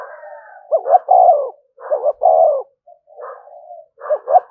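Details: Spotted dove 'thúc gù' cooing, used as a lure for wild doves. Two clear phrases of a double hoot then a long coo, trailed by softer blurred coos and a clipped phrase at the end.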